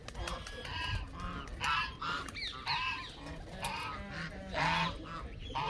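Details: Canada geese giving repeated nasal honks in uneven bursts, several birds overlapping, some calls dipping and rising in pitch.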